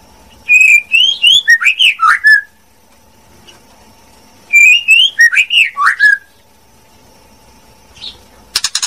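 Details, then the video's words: Female white-rumped shama singing: two bursts of clear whistled phrases, each a quick run of rising and falling slurred notes lasting about two seconds, separated by a pause, with a steady low electrical hum underneath. "TIẾNG CHÒE LỬA MÁI HÓT CHUẨN MỚI NHẤT"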